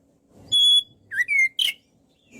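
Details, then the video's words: Oriental magpie-robin (kacer) in full song on a recording made to tutor other birds: a clear level whistle, then a short rising note into a second whistle, then a harsh burst, with gaps between. "MASTERAN BURUNG KACER GACOR SEKALI"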